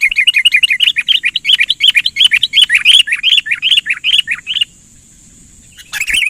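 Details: Sooty-headed bulbul lure call in the persistent, lively chattering style used for trapping birds: a fast, loud string of bubbly, rising and falling notes repeated about three per second, then a brief pause and a final burst.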